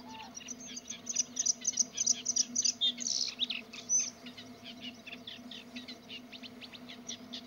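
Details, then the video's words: Singing Bluethroat delivering a rapid, varied stream of high chirps, trills and squeaky notes, loudest in the first four seconds, then softer continuous twittering, over a steady low hum. "Blaukehlchen singend"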